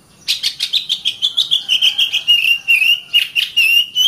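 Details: Training song from an Oriental magpie-robin (kacer) for caged birds: a steady rapid series of about twenty whistled notes gently falling in pitch, then rising again toward the end.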